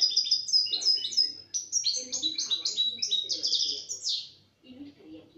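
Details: A European goldfinch, recorded in 2017 just after being taken out of its box, sings a fast, liquid stream of high tinkling twitters and buzzy trills, with low murmured voices beneath.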